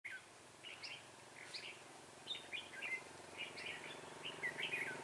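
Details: Red-whiskered bulbul decoy used for trapping, recorded 6/12/2016, singing fast: short warbled, chirpy phrases scattered through the clip, some rising sharply, over a steady low background hum.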